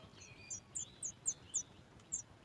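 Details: Nestling sooty chat begging on hearing its mother arrive with food: a run of sharp, very high chirps, about three per second, over faint ambient noise.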